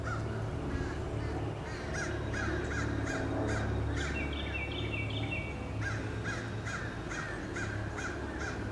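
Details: Crows repeatedly attacking eagles on 26 April 2015, giving harsh caws in a fast, uneven series of about two and a half per second over a steady low hum, with a brief run of higher, thinner stacked notes midway.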